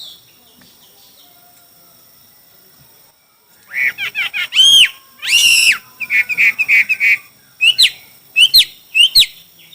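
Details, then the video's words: Contest singing of a Chinese hwamei: a quiet start, then loud varied whistled phrases, some slurred and long, others short repeated notes in quick bursts, with pauses between. "Coob quaj sib thib(Hoạ mi hót đấu)"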